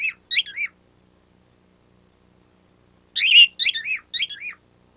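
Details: Male pet bird making an untaught squeaky noise like a squeaky toy: a short burst of high, shrill squeaks, a pause of silence, then a longer run of squeaky, wavering notes in quick groups.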